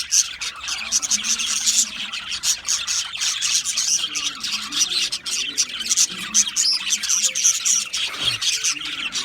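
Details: Budgerigar flock sound: steady busy chatter of high chirps and scratchy warbles overlapping throughout, with a faint low hum beneath and a brief lower knock near the end.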